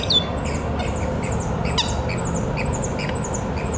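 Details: Willie wagtail at Glen Iris Park, Melbourne, Victoria, Australia, on 23 August 2021: a quick run of sharp, high chattering notes and short squeaky chips, repeated several times a second, over a steady low rumble of background noise.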